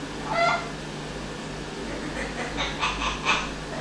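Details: Male pet Amazon parrot performing its learned evil laugh: one brief bright note, then a quick run of four or five rising, cackling pulses, over constant low hum in a quiet room.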